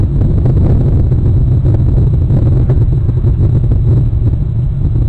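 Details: Heavy wind buffets the microphone with a constant low rumble, and no animal call can be picked out.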